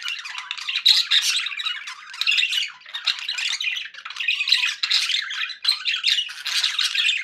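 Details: Happy pet budgies chattering nonstop indoors, a dense flow of raspy warbles and chirps with small peaks throughout and no real pauses.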